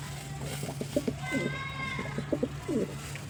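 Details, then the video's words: Pigeon cooing: low, soft, throaty murmuring notes in short clustered bursts, about four across the clip, over a steady low electrical-sounding hum, with a brief higher, smooth tonal sound with harmonics in the middle. "Amazing Pigeon Sound 🕊️ | Relaxing Pigeon Voice"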